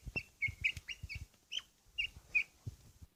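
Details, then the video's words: A Pakistani fighting quail ready for a fight gives a few separate bright, slightly rising chirps, mixed with low thumping and scuffling sounds close by. "Quail is ready for fight"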